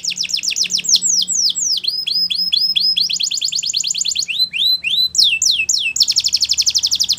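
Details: Training song for young canaries, with rapid falling whistled notes grouped into tours that switch about every second and close with a fast, buzzy roll.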